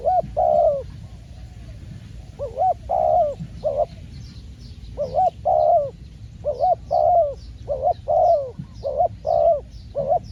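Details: A trained spotted dove decoy calls on a trapping outing that caught its first wild bird. Soft, mellow coos are repeated almost without pause, each a brief rising-then-falling hoot, often in pairs, with faint high chirps behind.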